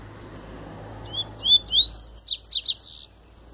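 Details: Pure Tui Tui song of a Double-collared seedeater (papa-capim) just out of molt: a loud, fast run of clear upslurred whistles speeding into tight, chattering notes, lasting about two seconds, over a faint steady hum.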